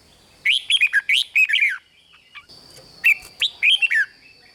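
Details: Red-whiskered bulbul (cage bird) singing in the rik style, played to excite other caged birds: two quick bursts of bright, warbled, bouncing notes separated by a pause, with a thin steady high whine behind.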